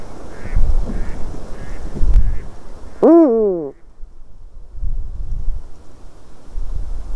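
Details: Eurasian eagle-owl in a white-tailed eagle's nest, recorded 12 March 2019 at 18:26. One loud, rich, arched call rises and falls over under a second. Low rumbling background, with faint short calls earlier.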